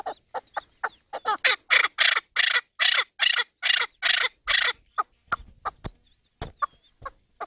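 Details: Chukar partridge call: harsh, clucking chuk notes about twice a second build into a loud, rasping run, then fade to scattered softer chucks with a few sharp clicks.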